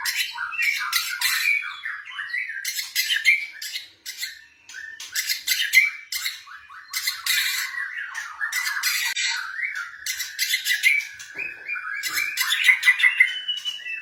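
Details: White-rumped shama of the blorok type, a kept bird, singing a lure song for other birds to answer. Harsh squawky bursts and crackling clicks alternate with jumbled warbling and short whistled slurs throughout.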